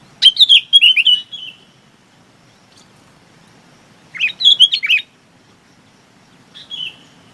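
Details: Chinese babax giving a flock-gathering call: rapid chattering phrases of slurred, falling whistled notes, two full bursts a few seconds apart and a brief softer phrase at the end, over a quiet background.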